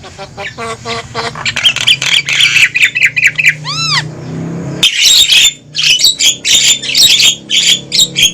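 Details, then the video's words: Javan myna noisy lure call meant to pull wild mynas toward a trap: dense, harsh chattering squawks, a brief arched whistled sweep, then more rapid grating bursts. "Suara Burung Jalak Kebo Ribut||Suara Pikat Jalak Kebo"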